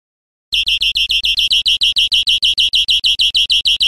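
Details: European greenfinch recording made for training caged birds: a fast, even series of buzzy high chirps, about three per second, steady in pitch and loudness after a half-second of silence.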